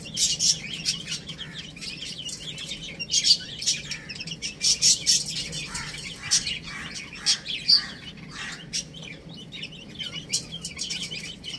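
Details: Little chicks playing and eating, scattered high thin peeps in clusters, some sharp and loud, others softer, over low steady hum.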